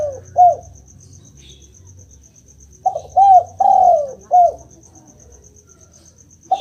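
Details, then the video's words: Spotted dove call meant to prompt a silent dove to answer: one short coo early on, then after a pause a phrase of four mellow, arched coos. The third coo is longest and drawn out. A faint steady ticking sounds high above throughout. "Denger suara ini, burung derkuku langsung nyaut"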